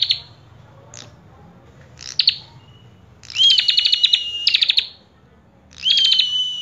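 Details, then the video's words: Common tailorbird singing persistently with full phrases. A few scattered high notes lead into two longer phrases, each a clear rising whistle that levels off under a stream of rapid ticking pulses. "Prenjak Kepala Merah Gacor Full isian"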